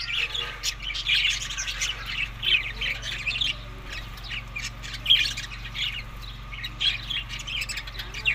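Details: Feeding budgerigars, May to June, give harsh rasping squawks and chirps in irregular bursts over a low steady hum, several birds calling at once.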